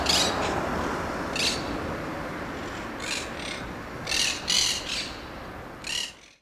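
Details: A monk parakeet in Brussels, Belgium, in March 2011 gives harsh, raspy squawks in short bursts, about seven over six seconds, some doubled, over a steady background hiss.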